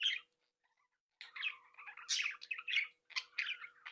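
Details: Captive Budgerigar breeding flock: one quick chirp, nearly a second of quiet, then a steady run of raspy warbles and shrill squeaks, over a faint low hum.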